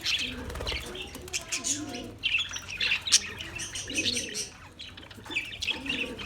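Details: Busy chorus of Australian parrots, with quick high chirps and squeaky notes coming in dense bursts, and low murmuring coos beneath at intervals.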